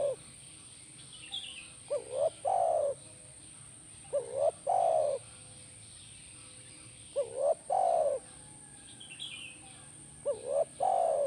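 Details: Spotted dove calling, played to prompt a caged spotted dove to answer; four phrases, each a quick pair of rising notes then a long drawn, falling coo, repeating roughly every three seconds over a faint steady hiss.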